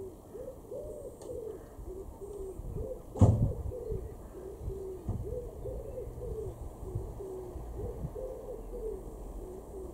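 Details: A wood pigeon in a garden in Weener, East Frisia, northwest Germany, in May 2021, repeats soft, low, hooting coos in a steady rhythmic series, broken by a brief knock partway through.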